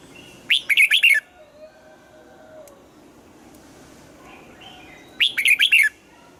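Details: Red-whiskered bulbul in morning singing practice, pushed toward double-note old-forest song: two short, lively warbled bursts of several chirpy notes each, roughly five seconds apart, with near silence and faint background noise in between.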